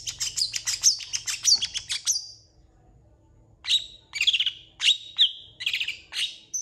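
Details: Long-tailed shrike in full song: a fast, chattering run of scratchy notes for about two seconds, a pause, then spaced harsh, sweeping calls mixed with clear whistled notes.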